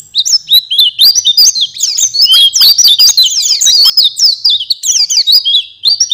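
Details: Oriental white-eye song recorded for training caged birds: a fast, unbroken tumble of high, thin chirps and twittering notes, swooping up and down with barely a pause.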